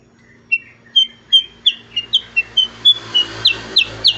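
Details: Black-headed bulbul notes start as soft, spaced whistles and build to louder, sharper downslurred calls at roughly three per second. A rising hiss and low hum are heard behind the bird.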